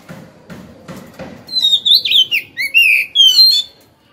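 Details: Oriental magpie-robin held two years in a cage, singing once hung up. Soft low rustling gives way to rich, loud whistled phrases of slurred rising and falling notes lasting about two seconds, ending abruptly.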